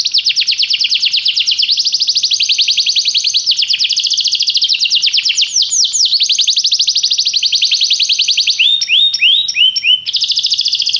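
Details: Canary performing a long, continuous, rapid trill of repeated notes, changing speed slightly, ending with a few separate swooping whistles.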